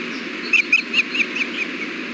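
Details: Ospreys at the Hellgate nest during a fish delivery around 4 pm, the male feeding the female bites; a quick string of six or seven high, sharp chirps at an even pace, over a constant hiss of background noise.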